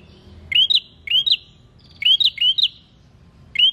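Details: Prinia in lively song for stimulating other birds: steady pairs of thin upslurred notes, each starting low and bending sharply upward, repeated about every half second.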